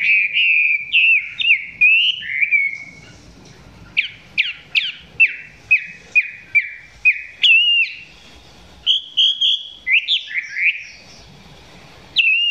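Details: Chinese hwamei singing close to the recorder, song not yet at full intensity; clusters of loud whistled phrases, including a series of sharp downward-sweeping notes repeated about every half second, with pauses between bursts.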